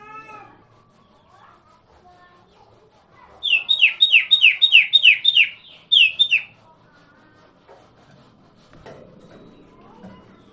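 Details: Common iora (sirtu, cipoh) song used as a lure to prompt silent birds to reply: a rapid burst of about eight sharp, down-slurred high notes, then two more after a brief gap, with faint low background sounds.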